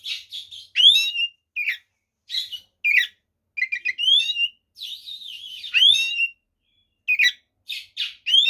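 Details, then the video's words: Kacer (white-rumped shama) delivering a varied fighting song to provoke rivals: rapid series of short chirps, upslurred whistles and buzzy warbled notes, densely packed with only brief pauses throughout. "SUARA BURUNG kacer gacor TARUNG FULL ISIAN ini PALING AMPUH MEMBUAT KACER EMOSI"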